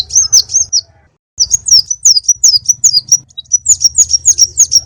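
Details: Konin bird song played as a lure and training recording: loud, high, sharp chirped notes in quick runs, each note sliding down then up, with one brief pause and a low hum beneath.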